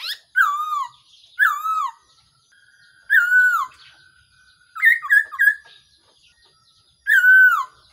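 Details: Black-throated laughingthrush calling as a decoy for trapping: clear descending whistles repeated every second or two, with one brief choppy triple-note phrase midway.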